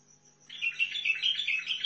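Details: Bright, fast warble of about six looping whistled notes from a Sihani bulbul, Al-Faw, Basra, starting after a brief pause.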